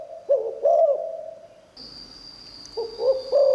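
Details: Spotted dove giving a 'liu tan' style song, said to have a fine voice that draws in wild doves: short bursts of low, rounded coos, a quiet pause, then more coos, over a steady high whine.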